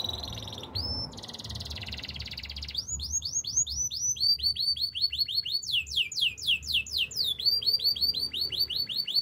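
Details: Canary song: a buzzy opening roll followed by long runs of repeated rising whistled slurs, delivered quickly with slight changes in pitch, over faint low background noise.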